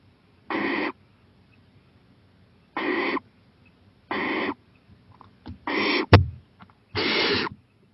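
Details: Owl on a porch at 11:26 pm, 23 April 2018: raspy hissing screeches about 0.4 seconds long at uneven gaps, with soft scuffs and one sharp knock near the end.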